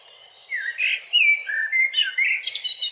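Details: Eurasian blackbird singing in Grmoščica Forest Park, Zagreb, Croatia, filmed with a Panasonic Lumix camera: mellow fluted whistles sliding between mid pitches, then a burst of thin, high twittering notes at the phrase's end.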